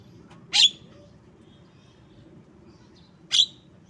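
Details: Two brief, grating notes from a Javan myna, each carrying a bright whistled tone, separated by nearly three seconds of low hum.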